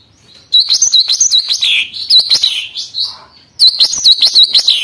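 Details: Lesser green leafbird, a very vocal bird whose song is used to provoke other birds and to tutor them: after half a second of quiet, rapid sharp chirps and bright whistled notes pour out, pause briefly, then resume just as fast.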